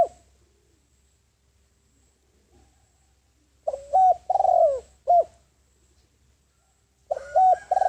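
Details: Spotted dove used as a decoy to attract wild doves: a full phrase of deep coos, with a short note, a long downslurred coo and a clipped ending, after a quiet stretch. A second phrase starts near the end.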